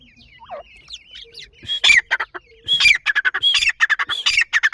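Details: Grey francolin chicks with their family, female present: a few thin, high wavering peeps, then loud, harsh, broadband squawking bursts repeated rapidly in irregular clusters through the second half.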